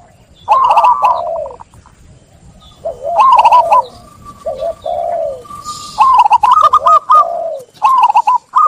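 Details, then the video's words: Local zebra dove singing energetically to draw other birds into song: repeated phrases of bright rolling coos over lower descending notes, coming roughly every two to three seconds, with a faint rustle in between. "Perkutut Lokal Gacor | SUARA JERNIH Mengajak Yang Lain Ikut Bunyi"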